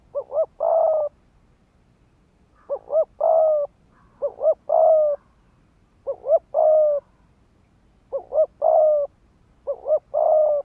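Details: Fast 'thúc gù' cooing from a decoy spotted dove, meant to provoke males to fight: six phrases of two brief coos and a longer sustained coo, repeating roughly every two seconds, clear and close.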